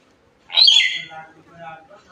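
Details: Hill myna, said to be talking to itself, gives one loud, harsh, shrill squawk lasting about half a second, followed by softer, lower chattering notes. A person speaks nearby, asking the bird its name.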